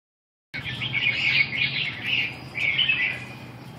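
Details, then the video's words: Red-whiskered bulbul at a training session on 2 June 2012, giving bright warbled phrases in two bursts, the second after a short pause, over a low steady hum. "dợt cm 2/6/2012"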